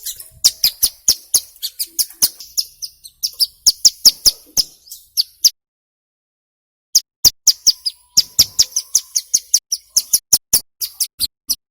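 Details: Hill prinia singing steadily, used as a lure to prompt birds to sing: long runs of rapid, sharp high chips repeated several times a second, broken by a silent gap of about one and a half seconds.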